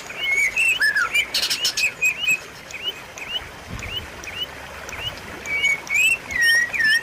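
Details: White-rumped shama song: quick, varied whistled notes, many short upslurred chirps and a few longer downslurred whistles, delivered in rapid irregular bursts. A short burst of broadband rustling sounds near the start.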